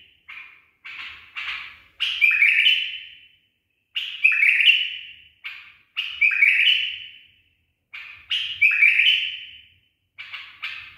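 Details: A trained tame bulbul sings its 'barwaz' phrase over and over: clipped introductory notes, then a full liquid warble sliding down into a fading whistle, about every two seconds.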